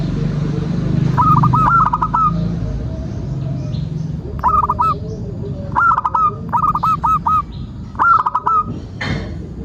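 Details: Zebra dove (perkutut) lure song to get birds singing: several phrases of rolling, bubbling coos with drawn end notes, spaced a second or two apart, over low hum and a brief noise near the end.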